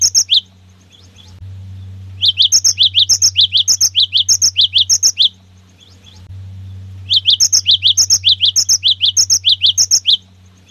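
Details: Two bursts of fast, sharp 'wucit' double notes, each about nine phrases long, from a gacor cinereous tit whose song is used to set others singing. A constant low hum runs underneath.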